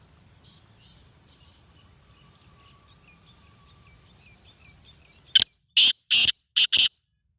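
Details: Black francolin (Francolinus francolinus), call.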